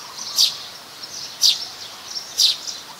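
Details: Plain-backed sparrow (Passer flaveolus), a common resident, in Ubon Ratchathani, Thailand, on 17 January 2020: three sharp, high chirps about one second apart over a steady hiss of background noise.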